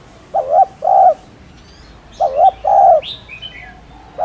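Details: Cooing of a spotted dove, for spurring newly caught doves to coo: two soft two-part coo phrases about two seconds apart, the first note wavering, the second longer and steadier, with a higher chirping bird afterwards.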